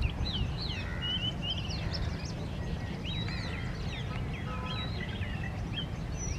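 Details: Male Oriental magpie-robin in display, singing a rich, varied run of clear whistles, quick slurred sweeps and short trills, over a steady low rumble of background noise.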